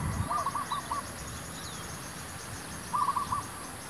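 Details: Zebra dove used to lure wild doves for trapping, heard faintly: two brief trilled, rolling coo phrases a few seconds apart against a noisy outdoor background.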